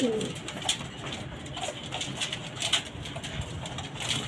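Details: A pigeon kept on a house rooftop gives a brief, low, throaty coo against a hissy, echoing background.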